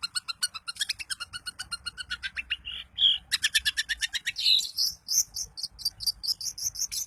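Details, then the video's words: Long-tailed shrike of the type called daput, singing to provoke other shrikes into singing. It gives a fast, unbroken string of sharp, clicking chattering notes with a brief squeal midway, rising into higher shrill notes toward the end. "Cendet Manapun bakal GACOR dan EMOSI dengan kicau Cendet Daput Ini"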